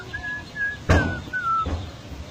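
Golden myna giving a few clear, slightly falling whistles, fairly soft, broken by two loud knocking thumps nearby.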